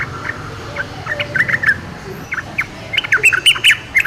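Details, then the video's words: Wild yellow-vented bulbul song of quick burbling notes in loose clusters, a brief lull midway, then a livelier run of sharp, slightly higher chirps toward the end, with faint outdoor ambience. "KICAU TRUCUKAN DI ALAM LIAR"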